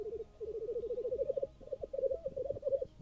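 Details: Black grouse at a Swedish lek on a frosty, chilly morning, recorded with a Nikon Z6 II camera: dense, fast bubbling coos in short rolling bursts, with several voices overlapping and no other sounds.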